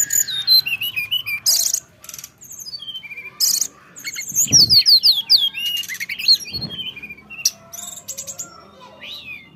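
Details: Bali myna singing vigorously, mixing harsh rasping bursts, rapid series of descending whistled slurs and buzzy chatter, with a couple of low thumps; song flows almost continuously.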